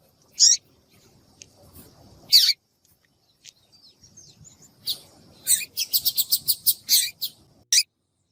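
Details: Female Double-collared seedeater giving sharp, high chirps, then a quick run of about eight bright notes near the end over a faint low rumble; female calls used to stimulate males to sing.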